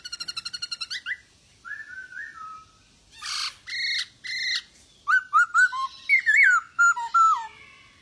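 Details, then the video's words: Masked laughingthrush singing energetically to prompt quiet birds to reply: a fast rattled burst, smooth level whistles, harsh broad squawks, then a lively series of looping whistled notes. "POKSAY HONGKONG Anda Malas Bunyi,Pancing Dengan POKSAY HONGKONG Gacor ini 75% Pasti Nyaut"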